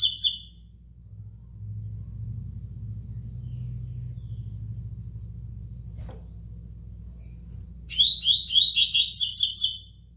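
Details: A coleiro, the double-collared seedeater, sings tui tui phrases: a short burst of high notes, about seven seconds with only a low hum, then a longer rapid twittering phrase near the end.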